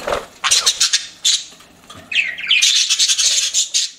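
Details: Pet budgerigars giving rapid scratchy chirps in quick bursts, a short pause, then a rising whistled squawk running into a loud, buzzy chattering stretch.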